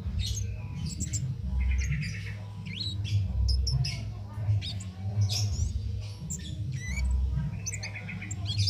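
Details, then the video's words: Cit keres singing without pause, recorded for teaching songs to contest birds: scattered sharp high chirps and brief twittered phrases every second or so, above a strong steady low droning background. "Cit Keres Nembak Buat Masteran"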